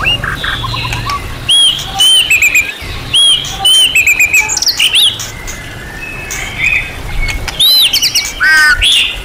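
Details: Champion-class white-rumped shama in a training song packed with varied material. It gives bright, high, arched whistles in short bursts with pauses, then a busy run of notes near the end over a constant hiss.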